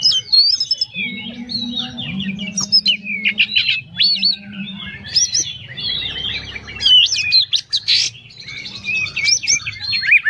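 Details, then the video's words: A captive Oriental magpie-robin with a record of contest trophies pours out a rich, nonstop song of varied whistles, slurs and chattering notes, high and fast-changing, over a faint low hum. "Kacer Gacor full isian"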